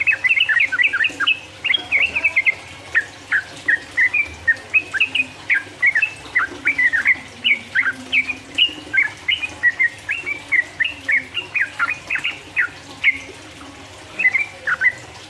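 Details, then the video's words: Yellow-vented bulbul in full 'gacor' song of the 'ropel uplik uplik' style, used as a master recording to provoke rival birds. Fast, bubbly, liquid chattering notes come in short bursts about every half second throughout, over a faint low hum. "mancing lawan jadi emosi, trucuk gacor ropel uplik uplik merangsang lawan"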